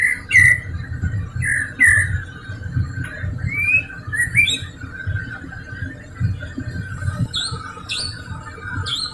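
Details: White-rumped shama song played as a lure so that a caged shama that has stopped singing joins in: scattered rising whistled phrases with sharp high chips, some gaps between bursts, over a low background rumble.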